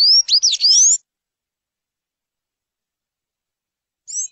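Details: Sayaca tanager giving a one-second tumble of shrill, upward-sweeping twitters, then silence until a lone high note near the end.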